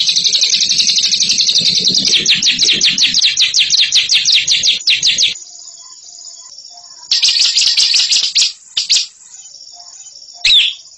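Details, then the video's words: Bird praised for ngekek song: a five-second burst of fast, harsh, high chatter, near silence with a faint thin tone, then short renewed trill bursts and a final sharp chirp. "INI DIA JAGONYA NGEKEK"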